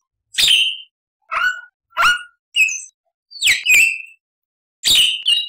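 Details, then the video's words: Black-winged starling giving scattered harsh, squealing notes that slur down into short whistles, about seven calls spaced unevenly, loud and close. "MASTERAN JALAK PUTIH GACOR FULL ISIAN"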